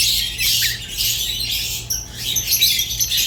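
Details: Pet rosy-faced and Fischer's lovebirds singing indoors, a dense, scratchy chatter of squawks and high chirps running almost without pause, with one short dip near the middle.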